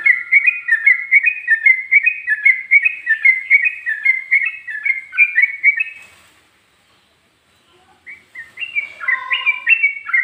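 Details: Fast, rolling whistled phrases from a yellow-vented bulbul singing ropel, ngikluk and garuda styles, pouring out without a break for six seconds, then a short silence before a higher, looping phrase resumes.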